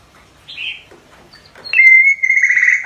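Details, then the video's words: Juvenile white-rumped shama rehearsing song, with brief faint warbled notes followed by a bright, sustained, level whistle that wavers slightly toward the end. "Chích chòe lửa non tập hót / Luyện giọng chòe lửa"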